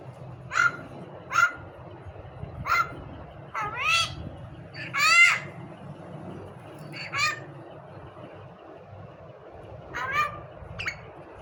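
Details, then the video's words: Common myna, known locally as khandari mayna and kept as a talking bird, giving scattered harsh calls and a few longer rising warbled phrases with pauses between, low steady hum underneath. "mayna talking bird khandari mayna"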